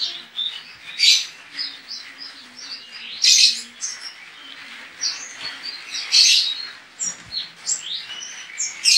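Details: White-eye from Pontianak, West Kalimantan, Indonesia, singing as an entry in an online singing competition; rapid high twittering warbles with loud bursts of chatter about every two to three seconds, and no other sounds.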